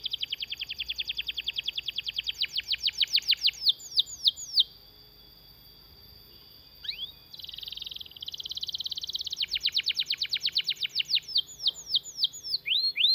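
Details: Canary singing a long rolling song meant to tutor and prompt other canaries: fast buzzy downslurred trills, a steady pitched tour, a near-silent pause mid-clip, then more rapid repeated notes with a faint hum underneath.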